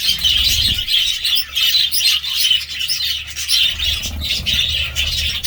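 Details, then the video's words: Budgerigars chattering nonstop: a dense, high warbling of overlapping chirps and squeaks, with a low steady hum underneath. "budgie sounds"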